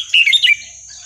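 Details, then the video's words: Red-whiskered bulbul in the Burmese song style, played as a lesson for young birds: one short loud warbled phrase of three or four quick slurred notes, then only a faint high hum. "นกกรงหัวจุกเพลงถิ่นพม่า 3-4-5-6 เปิดสอนลูกนก"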